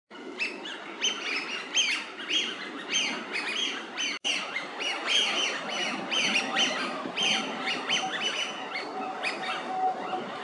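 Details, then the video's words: Eurasian wigeon in a park at Mizumoto Park, Tokyo, Japan, March 2023: a dense, overlapping chorus of high whistled calls from several birds, repeated steadily throughout against a constant background hiss of the outdoor setting. "ヒドリガモ (Mareca penelope) カモの鳴き声"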